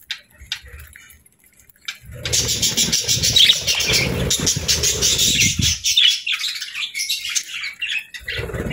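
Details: Happy budgies singing: near silence with faint ticks for two seconds, then a steady, loud, buzzy warble of rapid chattering notes that fades into scattered chirps.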